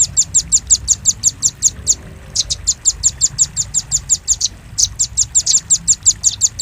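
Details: Velvet-fronted nuthatch, a lure recording for attracting birds: very high, sharp chip notes repeated rapidly in long runs, with short pauses near two and four and a half seconds; faint low background hum.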